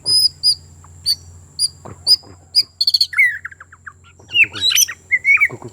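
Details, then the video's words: White-crowned shama from Sabah, Borneo: sharp high chirps repeated about every half second, then a run of short descending notes and quick bright twitters near the end. "Murai batu Sabah Borneo - menunjukkan aksi & suara"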